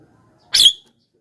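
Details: Javan myna used to lure wild mynas: one harsh, buzzy, broadband screech lasting about a quarter second, then silence.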